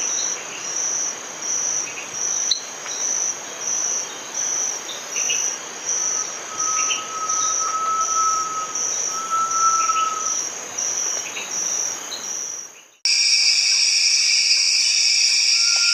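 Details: Great tinamou gives two long, pure, low whistles, the second slightly higher, over a steady, pulsing insect chorus that grows louder at the end.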